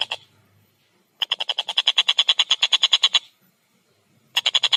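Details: A collared kingfisher, known locally as tengkek buto, delivers a two-second string of fast, grating, repeated notes, then falls quiet before another rapid chattering burst begins at the end.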